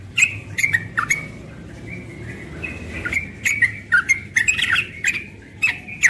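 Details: Yellow-vented bulbul, young, giving its rapid ropel song in the morning; bursts of sharp ticks and liquid slurred whistles come in clusters, with a brief quieter gap midway and light background hum.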